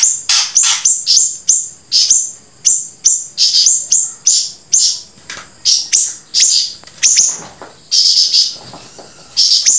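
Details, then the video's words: Singing grey-breasted prinia: short, high, scratchy bursts repeated about every half second, each a quick sharp flick followed by a thin buzz, continuing evenly for ten seconds. "flamboyan gacor sambung siri siri"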